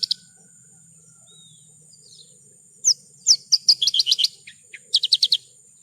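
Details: Branjangan, Horsfield's bush lark, in a tutor recording used to train kept songbirds: quiet start, then quick chirped notes building into a fast trill, followed by a shorter trilled burst, over a thin high hum.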